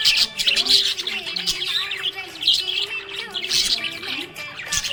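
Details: Happy budgies produce a stream of high, buzzy chirps and chattering warbles in dense overlapping bursts, with faint steady music tones running underneath.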